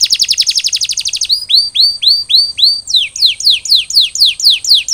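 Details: Canary after molting sings a loud rapid buzzy trill, then rising curved whistles repeated about three per second, then falling swept notes in steady series.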